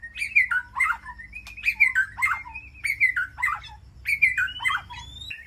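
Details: Rich, melodious calling of a white-rumped shama communicating with its flock in an aviary sanctuary: varied whistled phrases with swooping slurs and chattering notes, repeated in loose bursts, ending in a long rising whistle.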